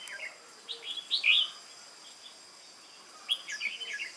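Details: Wild-caught red-whiskered bulbul in contest singing, 22 October 2018: bubbly warbled notes building to a loud, rich phrase, a brief pause, then another cascade of chattering, whistled notes.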